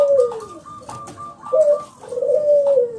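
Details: Local zebra dove, loud and clear, used to make other doves sing: long mellow coos falling in pitch, with thin steady higher notes threaded between them.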